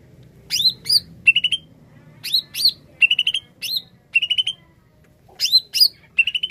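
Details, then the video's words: Greater green leafbird singing in a loud, lively song used as a lure for trapping birds: sharp rising whistles alternate with rapid bursts of four or five clear chirps, phrases separated by short pauses. "Kicau Cucak ijo gacor paling ampuh pikat bunyi burung bahan"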